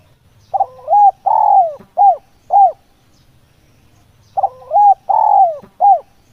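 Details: Spotted dove lure call used for trapping: a low, mellow cooing phrase of a short note, a long drawn descending coo and two short coos, given twice with a pause between, faint low rumble beneath.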